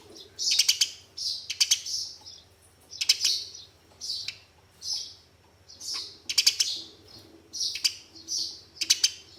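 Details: Eurasian tree sparrows fighting, a lure for caged birds: repeated pairs of loud, sharp, high chirps about once a second with rapid clicking notes, over a faint low hum.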